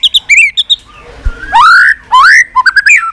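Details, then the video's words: Fighting song of a white-rumped shama, many-voiced and clicking, used to rouse weak birds: quick high chips, a pause, then two long rising whistled slurs and a closing flurry of short notes. "Chòe lửa tạch liên tục"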